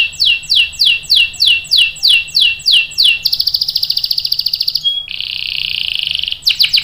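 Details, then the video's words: Canary singing loudly to draw other canaries into song. Repeated falling whistles come about three per second, then a dense buzzing trill, then a long flat rattling roll before fresh whistles. "PANCINGAN KENARI GACOR cuit cuit bikin NYAUT ikut BUNYI NGEROL PANJANG ¦ CANARY SINGING"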